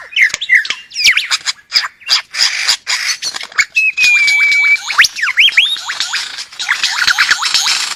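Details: Lyrebird, a forest bird from Australia, pours out a loud, varied song of quick sweeping whistles and chattering phrases, broken by one long, steady clear whistle.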